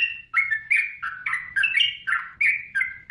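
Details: Energetic yellow-vented bulbul song for training caged birds: loud slurred notes, each starting sharply then gliding downward, repeated roughly three times a second in a bright bubbling rhythm.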